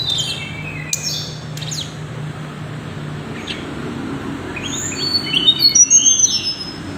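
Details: Tickell's blue flycatcher (Cyornis tickelliae) gives thin, high chirps and quick falling notes, scattered at first, then a brighter burst of sweet whistles near the end, over a low hum.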